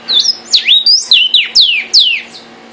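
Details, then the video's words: Vermilion cardinal (cardenal guajiro rojo) singing loudly: a string of strong whistled notes, several sweeping steeply downward, others level, about eight notes in under three seconds, with a faint low hum. "cardenal guajiro rojo, canto de las aves"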